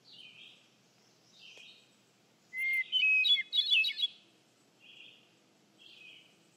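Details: Hermit thrush (Catharus guttatus) in Freetown-Fall River State Forest, Massachusetts, on the morning of 27 October 2015, gives a clear, flute-like phrase: a held pure note climbing into quick tumbling whistles, with fainter high whistles around it.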